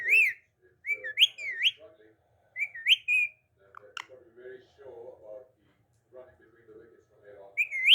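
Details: Talking parrot saying "Mitto Mitto Mian Mitto": bright whistled rising phrases repeated several times, mixed with lower, raspy speech-like mumbling in a small indoor room, ending with another whistled phrase.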